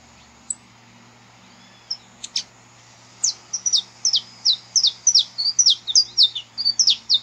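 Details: Saffron finch recorded live in nature, song used to warm up captive birds: a few isolated sharp chips, then a fast run of high, descending slurred notes repeated about three per second, over a steady low hum.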